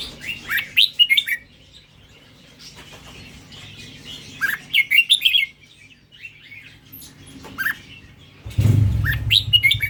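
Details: Red-whiskered bulbul, Indonesian strain, giving scattered short rising whistles and warbled chirps in small clusters, ending with a burst of low rumbling noise.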